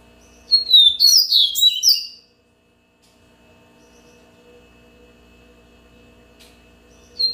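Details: One brisk burst of yellow-bellied seedeater song, high sweet whistles and fast warbling notes packed into under two seconds, followed by several seconds of quiet with a faint note near the end.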